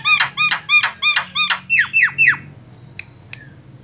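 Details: Lure call of a white-eyed Javan myna, used to attract other birds: about nine harsh, harmonic, down-slurred notes repeated quickly, then two sharp clicks.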